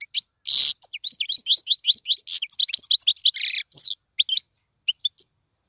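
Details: European goldfinch in full song for training young birds: a buzzy opening note, then a lively stream of quick rising and falling chirps with a harsh buzz, tailing off in single notes.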